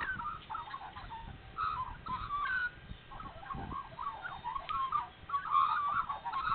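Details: Spring dawn chorus of Australian magpies at Nowra, New South Wales, following a feed: rich, tumbling warbles and quick yodelling phrases that rise and fall without a break, over a faint low background hum.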